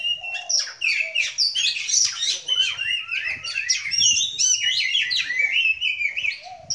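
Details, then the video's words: Oriental magpie-robin (kacer) at a kacer meet-up on a relaxed Sunday, singing a dense, unbroken stream of bright varied whistles, sharp chirps and quick scratchy trills, high and rich, with a faint low murmur near the start and end. "Kacer Murai Kampung"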